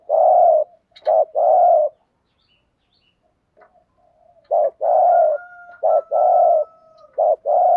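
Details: A decoy spotted dove cooing in thúc gù style to attract wild doves. Low, mellow coos come in short-then-long pairs, broken by a pause of about two and a half seconds, then resume in a quicker series.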